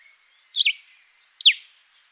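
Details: Cape sparrow in a garden in Fourways gives two short, high chirps about a second apart, each dropping sharply in pitch, over faint background hiss.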